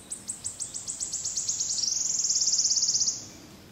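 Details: Wood warbler in Brussels, Belgium, June 2011: a run of sharp high notes speeds up and merges into a long, dry, shimmering trill lasting over a second.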